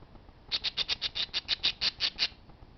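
Parakeets give a fast run of about a dozen harsh, high squawks, roughly seven a second, then fall quiet in a still room.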